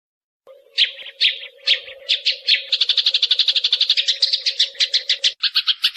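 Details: Eurasian tree sparrow giving a shrill chattering series to prompt other birds to sing. Scratchy chirps start spaced, then speed into a rapid, even chatter about two per second and faster, over a steady low hum.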